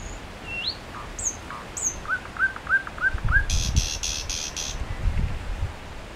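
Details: A lone common nightingale singing at Solbjerg Sø on 31 May 2011 at 22:30, giving short songs with long pauses: thin upslurred whistles, a quick run of five repeated notes, then a harsh buzzy rattle, over a low background rumble.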